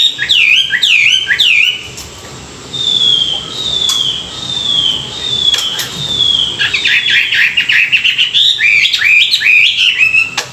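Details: Chinese hwamei in morning song for voice training. It opens with a few looping whistled notes, follows with a series of clear, slurred whistles repeated about once a second, and ends in a quickening, rich warble.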